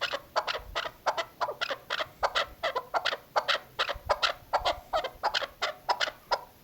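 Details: A female chukar partridge, recorded as a hunting call, gives a fast, uneven run of harsh clucking chuck notes, several each second, with no other sounds standing out.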